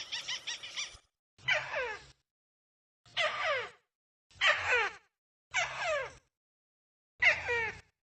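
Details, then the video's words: Crake calling for use as a lure: an opening buzzy stuttered burst, then five harsh descending rasping calls at uneven intervals, with low hum beneath. "SP.BURUNG TIKUSAN MP3"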